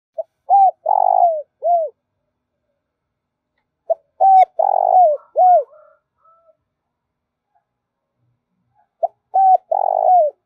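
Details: Spotted dove lure call used by trappers to excite decoy birds, both males and females: three cooing phrases about four seconds apart, each a short clipped note, then mellow hooting coos around a longer rough, buzzy middle note, over a silent background.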